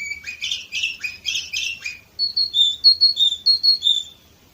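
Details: An Orpheus canary in Varna, Bulgaria, 2018, sings a two-second stretch of thick buzzy rolls, then switches to a chain of sweet whistled notes repeated about four times per second before fading.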